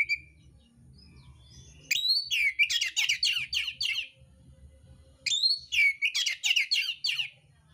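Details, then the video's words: Mintal oriental magpie-robin in fighting mode with rough filler: two long outbursts, each opening with a rising whistle and running into rapid, repeated scratchy chattering notes lasting several seconds. "kacer mintal tarung bongkar isian kasar"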